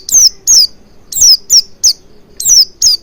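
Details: Oriental white-eye, played as a lure to get white-eyes singing: seven thin, high whistled notes, each sliding downward, given in quick uneven succession over three seconds.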